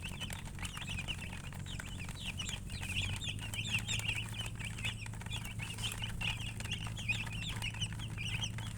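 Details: Chickens chirping in a busy stream of short high peeps, many rising then dropping, over a constant low electrical-sounding hum.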